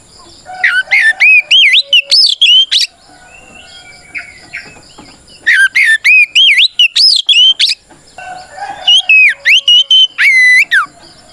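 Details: Loud fighting song of an oriental magpie-robin, or kacer, meant to provoke rival birds: three bursts of fast varied whistles and chirps, each about two seconds long, separated by quieter spells with softer background birdsong.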